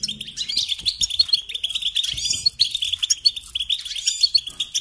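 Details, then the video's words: A European goldfinch sings a fast, continuous run of bright, tinkling twitters and liquid chirps with no clear pauses; possibly more than one bird is singing. "Singing Along with Goldfinches"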